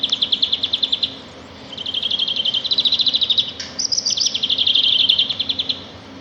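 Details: Sparrows singing in nature: fast, evenly pulsed high trills, each lasting about a second, repeated with short gaps and one brief higher chirp in between.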